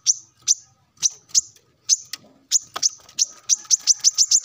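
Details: High, piercing chips from a male plain-throated sunbird in morning song aimed at rivals, starting as spaced single notes about half a second apart and quickening into a rapid run by the end.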